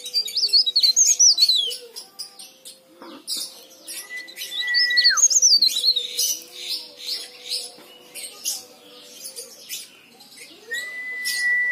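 A leaf warbler gives high, rapid twittering phrases of quick chirps and trills, repeated twice, over a steady thin electronic-sounding tone and background hum.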